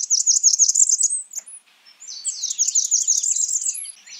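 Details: Blackburnian warbler calling: two bursts of rapid, very high, thin notes, each burst about a second long, with a brief high upslurred note between them; no other sounds.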